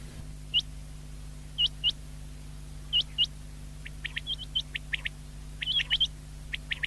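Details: Common quail, recorded 19 February 2024: paired sharp, high rising notes at first, then denser shorter chirps crowd in during the second half, with a steady low hum throughout.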